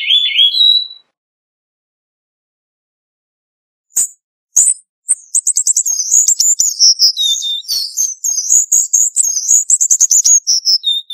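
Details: Cuban bullfinch song: a short rising whistle, a pause of about three seconds, then a fast, varied run of high chattering and twittering notes, some dipping lower, continuing to the end.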